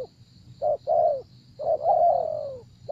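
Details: Spotted dove at a decoy trap giving a soft low coo sequence: short note, mellow coo, then one long drawn-out wavering coo sliding down, with a steady high whine behind.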